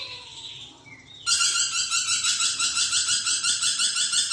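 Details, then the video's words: After a second of soft whistled notes, a lorikeet bursts into a loud, buzzy, high-pitched chattering trill, pulsing rhythmically about three to four times per second until the end. "BURUNG NURI PERKICI GACOR"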